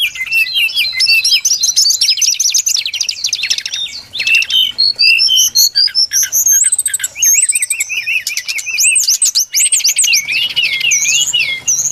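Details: Brown-chested jungle flycatcher song used to lure birds for trapping: long varied warble of rising and falling whistles, rapid trills and arching notes, delivered without a break.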